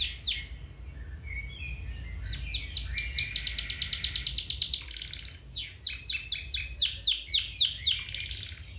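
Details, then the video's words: Domestic canary singing, offered as training to stimulate a canary to sing again or improve its song: soft twittering phrases, then fast repeated downward-sweeping notes about four per second, a brief pause, and another rapid rolling trill. "Canary Singing 4k Video [Training for your canary]"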